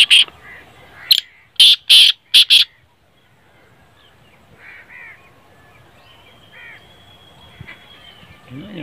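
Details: Black francolin (kala teetar) calling: a rapid series of loud, harsh, grating notes in the first seconds, followed by faint rustling and a few distant soft bird notes.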